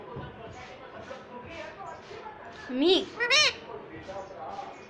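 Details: Pet ringneck parrot talking: a steady run of soft speech-like syllables, broken by two louder rising-and-falling whistled squeals in the middle.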